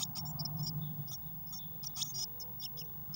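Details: Eurasian blue tit chicks, six in one crowded nest box, 22 May 2019. Bright, high, squeaky peeps come quickly in short irregular bursts alongside soft clicks, with a low droning hum underneath.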